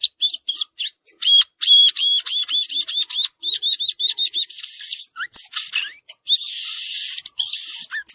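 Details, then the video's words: Violaceous euphonia singing in nature, repeating a quick two-part chirp many times in a row before switching to buzzy rattles and sweeping whistles. "Gaturamo verdadeiro cantando na natureza"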